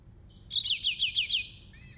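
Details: Yellow-fronted canary singing a short, bright phrase: five quick, high, down-sliding notes, evenly spaced, followed by a thin steady whistle and a brief lower twittering ending, with no other notable sounds.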